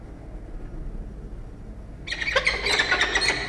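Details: Peregrine falcon chick begging at a nest box on a university campus in Orange, New South Wales, Australia, while being fed prey by its parents; sudden harsh, rapid squealing chatter bursts in after two seconds of quiet.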